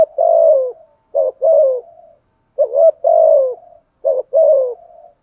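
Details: Decoy spotted dove giving its provoking coo to challenge rival males: deep, soft phrases of a short double note followed by a longer falling coo, repeated about every second and a half in a quiet setting.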